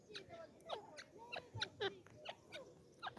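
A partridge gives a rapid series of short, harsh, slurred notes, several a second, mid-pitched with a raspy edge, over a quiet background hiss.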